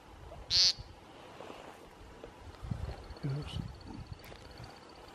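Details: American woodcock calling in Ontario in April 2016: one loud, short buzzy nasal note, then quieter faint sounds and a thin steady high tone, over low background rumble.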